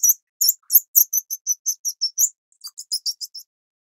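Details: Grey-cheeked fulvetta of the Taiwan endemic subspecies Alcippe morrisonia morrisonia at the nest, adults feeding chicks; thin, very high chirps in a rapid run of about ten notes, a short pause, then a softer burst of similar notes.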